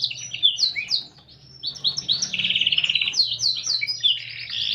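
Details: Kept canary in full song, valued for its unique phrasing: rapid descending slurred notes, a short pause, then a fast rattling trill followed by quick bright whistles and chirps.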